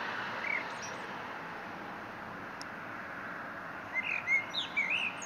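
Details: Eurasian blackbird: one short fluted note, a long pause, then a quick run of whistled warbling notes with a high twittering tail near the end, over constant background rushing noise.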